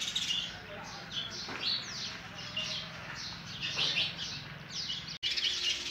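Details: Sparrow chicks calling as a parent tries to feed them oversized food; high, scratchy chirps and quick downward-sweeping notes in overlapping bursts, with a brief dropout near the end.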